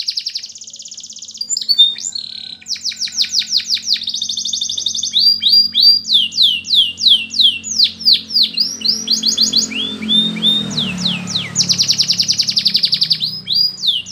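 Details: Canary song intended for training: long, varied sequence of rapid high trills and repeated swooping notes at a lively pace, briefly joined by a soft rushing noise midway.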